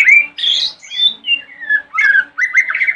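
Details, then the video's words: Continuous white-rumped shama song given in the morning to draw answers from other shamas: fluty slurred whistles and harsher squawky notes alternating rapidly, with a steady low hum underneath. "Pancingan murai Batu Pagi hari | bikin murai manapun langsung nyahut"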